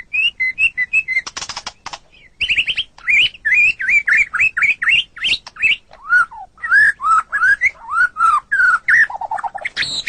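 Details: Song of a white-rumped shama, used as a model for training captive songbirds: a long series of clear, slurred whistles, mostly rising or falling, broken by a rattling burst and ending in lower repeated notes.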